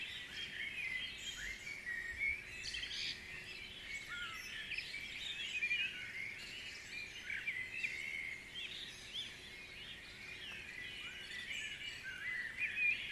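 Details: Dense dawn chorus at Guisborough, many birds singing at once: a continuous tangle of high twitters, chirps and short whistled phrases that swells and eases in waves throughout.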